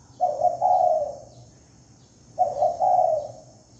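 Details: Spotted dove lure calling: a pair of mellow three-part coos, a brief doubled start running into a sustained lower rolling note, repeated after roughly two seconds; quiet constant high-pitched hum.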